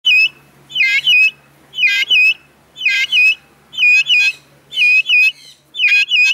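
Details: Captive Vulturine guineafowl (Acryllium vulturinum) at Vogelpark Walsrode, Germany, 2014, singing loud, harsh, metallic double notes repeated about once a second in a steady, ringing series.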